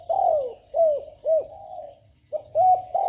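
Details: A young, loud-voiced spotted dove coos without stopping, used to provoke and lure wild doves: loud hoarse notes that swoop up then fall, several in quick succession, a short pause, then more, in a quiet setting.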